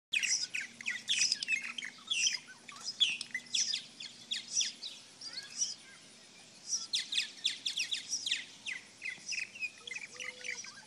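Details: 5 Purple martins (Progne subis) feeding in a back yard in the evening: several birds overlap in bursts of rapid, gurgling chirps and rich warbled notes, with a pause midway before the chatter resumes.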